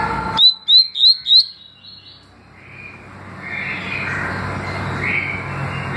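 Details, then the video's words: Double-collared seedeater, tui tui and deputado song styles: four loud, rapid upslurred whistles in about one second, trailing into softer notes, then hissing background noise. "Papa capim tui tui canto e deputado canto"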